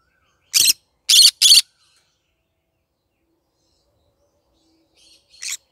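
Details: Morning singing by a pet yellow-sided green-cheeked conure: three rapid, harsh screeching calls in a burst, then a long pause and a softer final squawk.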